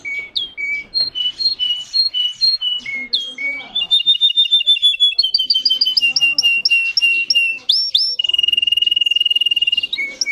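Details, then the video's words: Singing Russian canary, a breed kept for song: varied whistled phrases of repeated notes shifting between pitches, fast even trills and a long rattling roll near the end, sung continuously. "The singing of a canary. Melodies Canary Bird song"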